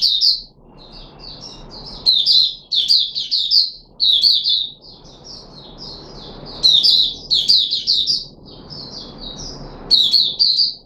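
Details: Red-whiskered bulbul (Puteh Raja), caged, recorded 13 April 2021 in a fruit juice and mealworm feeding experiment: repeated phrases of clear chirpy warbles, alternating softer strings with louder, fuller bursts, steady low hum behind.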